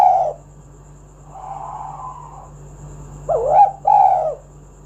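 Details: Luring song of a spotted dove, meant to start other doves singing; a fading coo, a faint drawn-out coo, then two rich rounded coos close together, steady low hum throughout.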